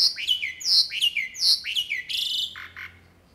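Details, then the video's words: Jalak uret starling singing gacor-style, three or four strong downward-slurred whistled phrases in quick succession, then a harsh buzzy burst and two short lower notes before fading into quiet. "JALAK URET FULL ISIAN GACOR"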